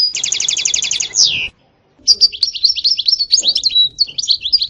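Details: Sitsita and bitbita style song of a European goldfinch: a fast, even rattle ending in a falling sweep, a short silence, then a bright twittering run with a level whistle.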